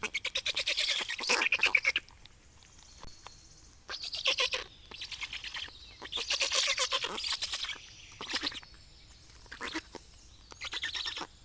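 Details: Feeding time for black storks in Estonia, 25 May 2019: repeated bouts of hoarse, rhythmic, hissing pulses lasting one to two seconds each, broken by brief quiet gaps.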